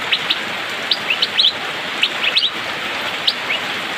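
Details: Asian fairy-bluebird (cucak biru/pikpik) in the rainy season, singing eagerly: crisp upswept chirps, some paired or tripled in quick runs, separated by short gaps, with rain hissing behind.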